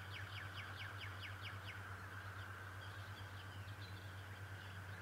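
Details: Decorah's male bald eagle on 11 March 2018 calling in a rapid string of about eight piercing, falling notes, then quieter faint squeaks trailing off, with a continuous low hum underneath.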